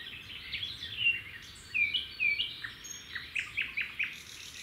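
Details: Red-backed shrikes feeding chicks at a nest by a road, the male supplying a grasshopper that the female passes on. Clear downslurred whistled notes are followed by a row of short, sharp chirps over a faint low hum.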